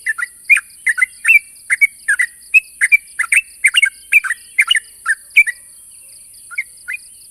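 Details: Sooty-headed bulbul challenging a rival with a run of quick chirped, slurred two-part notes, several per second, fading to a few sparse notes near the end over a constant high-pitched hiss.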